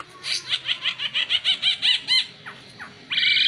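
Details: Oriental white-eye used for master song training, delivering a steady series of about ten rapid ringing notes, then two downward slurs and a sudden loud buzzy phrase at the close.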